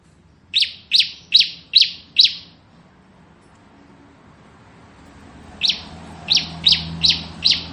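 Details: Ciblek kristal bar-winged prinia, a tutor bird for magpie-robins, making spaced sharp high notes about three per second, five in a row, silence, then another short series, soft background hum.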